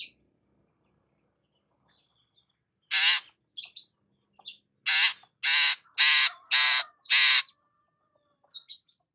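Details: Sunbathing in the morning, a long-tailed shrike gives a run of loud, grating, buzzy notes, several in steady succession, bracketed by a few thin high chirps at start and end.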